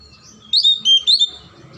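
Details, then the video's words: Oriental magpie-robin, a kept kacer, singing to stir quiet birds into song: one short phrase of three loud, clear whistled notes sliding up and down in quick succession. "PANCINGAN KACER MACET & MALES BUNYI AGAR JADI KACER RAJIN GACOR NGOBRA"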